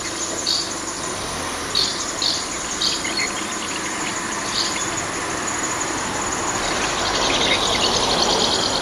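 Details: House martins near nest boxes, drawn in by broadcast house martin songs: short, dry chirrups in scattered pairs, then a denser burst of twittering near the end, over a steady background hiss.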